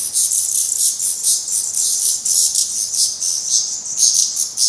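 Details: Black redstart fledglings at the nest, Portugal, still being fed by their parents after trying their first flights; dense, shrill hissing calls pour out in rapid overlapping pulses throughout, barely pausing.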